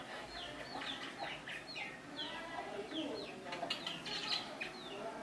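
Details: Free-living, tame Javan myna near people: a run of sharp, falling chirped notes, several per second, over constant low murmuring background noise.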